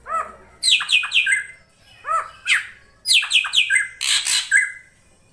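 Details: Female drongo's calls for luring a male: repeated phrases of a soft upslurred whistle followed by clusters of harsh, buzzy squawks, about three bursts over five seconds.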